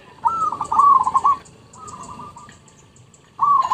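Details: Lure recording of a zebra dove, a long rolling coo of rapid pulses, a fainter echo-like phrase, then another loud trilled phrase starting, with light clicking above.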